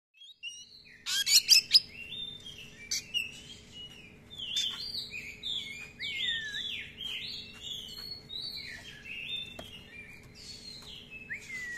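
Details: Oriental magpie-robin (kacer) in full song, a lure recording for training other kacer, with long rolls and many filler phrases: loud burst of notes, then a steady stream of varied whistled, swooping and chattering phrases.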